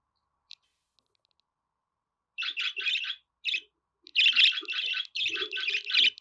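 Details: Budgerigar warbling after a quiet start: dense, scratchy chirps and chatter packed into bursts, with a few softer low notes beneath, continuing almost unbroken through the last half.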